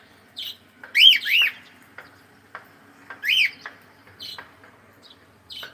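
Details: Cockatiel singing during play: arched, rising-then-falling whistled notes given in two clusters about two seconds apart, with soft clicks and short chirps between them.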